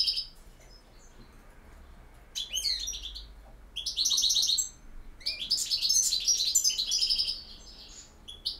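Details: A European goldfinch gives campero song: sparse high chirps, then several bursts of quick, tinkling twitters and rattling trills, the last a long, lively jumble.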